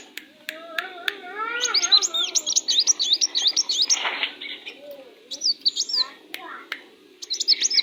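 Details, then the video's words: Tame, vocal sunbird: a lively run of fast, high-pitched chirps strung into a twittering trill, with a brief rushing noise midway, then further short high bursts; lower rising whistles sound underneath early on. "KOLIBRI WULUNG GACOR"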